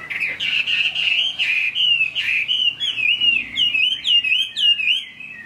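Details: Chinese hwamei heard during rain, delivering a steady stream of clear, warbling whistles that bend up and down in close, rhythmic phrases.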